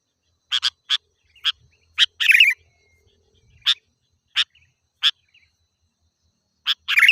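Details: Energetic sooty-headed bulbul vocalising for luring wild birds: a quick run of crisp chip notes, then a rasping chatter, followed by more evenly spaced chips and a final scratchy burst.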